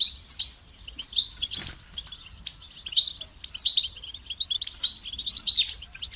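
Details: European goldfinch song in phrases with a beginning and an end, used to motivate other goldfinches: bright high twittering bursts with liquid trills, separated by short pauses, clean background.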